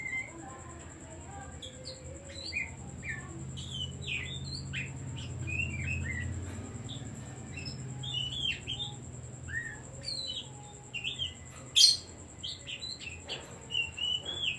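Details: Oriental magpie-robin (kacer) song played as a decoy to provoke other birds: a long, continuous run of varied whistled notes, quick slurs and sharp chips, with a loud clipped note near the end and a faint steady high tone behind.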